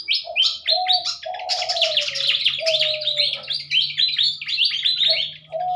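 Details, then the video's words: Morning song from captive pied fantails being paired for breeding and later release near a village where the species has vanished from the wild: a rapid, bright series of high, slurred chirps, with low drawn-out cooing underneath. "burung Sikatan Kipas suara khas di pagi hari"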